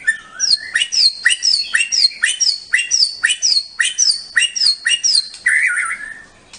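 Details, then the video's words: Competition white-rumped shama from Bahorok repeating a sharp two-part phrase about twice per second, a high note followed by a lower one, ending with a short warbled trill. "Murai bahorok tembus ke presiden cup"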